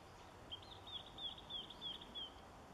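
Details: White wagtail at Kasumi Park, 13 October 2013, giving about six thin, high, slightly downslurred chirps, spaced roughly a third of a second apart, over a soft outdoor hiss.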